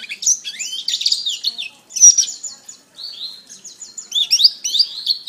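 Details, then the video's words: Canary training song in bursts: an energetic jumble of high chirps, then a pause, a bright buzzy phrase, a lower steady trilled run, and a final burst of quick rising and falling notes. "Masteran Terbaik Kenari"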